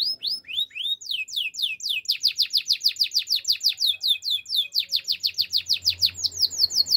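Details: Singing male canary: a few slow descending whistles, then a long, fast, regular trill of bright downward sweeps, with a soft low buzz toward the end.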